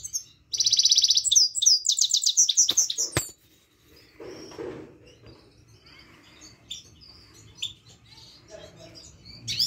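Himalayan goldfinch giving a bright, tinkling song: a quick rolling trill, then rapid twittering notes for about three seconds, followed by faint scattered chirps.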